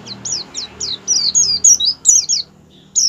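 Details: Ngerol-and-ngalas song of an Oriental white-eye, a lure to set white-eyes singing: a quick string of high, sharp, downward-sweeping notes, ending in a brief pause and one last chirp.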